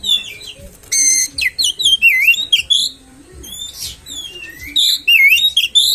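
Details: Oriental magpie-robin song used as a lure to make rival magpie-robins sing aggressively: a rapid harsh rattle, then sweet looping whistles and wavering slurs, a short pause, and more twisting whistled phrases.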